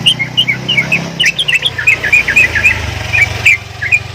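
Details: Javan myna making odd sounds: soft, bouncing whistled chirps at about three per second over a steady low hum of background noise.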